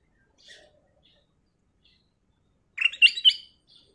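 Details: Black-crested bulbul (kutilang emas) singing in a chatty style used as lure audio: a brief burst of bright, warbled notes near the end, preceded by faint scattered chirps.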